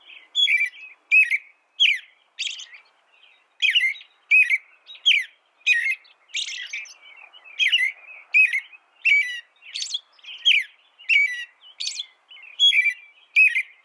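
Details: Long steady bout of American robin song: short whistled phrases, some rising and some falling, repeated at a brisk, fairly even pace of over one per second against a quiet background.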